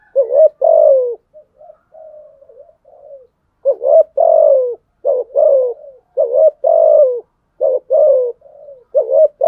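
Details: Spotted dove giving 'gù đấu' fighting coos, played to prompt other doves to coo and challenge: low, rich cooing phrases in about eight strong bursts, separated by softer, quieter murmured coos, with no other sounds.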